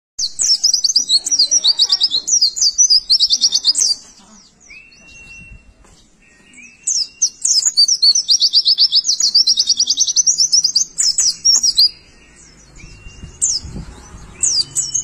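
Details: Pleci, a white-eye, singing energetically in rapid bursts of high, twittering trills and chattering notes lasting several seconds each, separated by pauses with short low whistles and quiet background.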